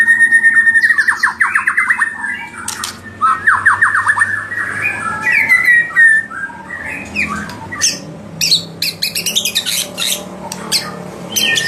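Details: White-rumped shama song used to provoke rival birds: rich, varied whistled phrases with rapid descending trills, sharp high notes and squawky bursts, delivered in quick succession with brief pauses.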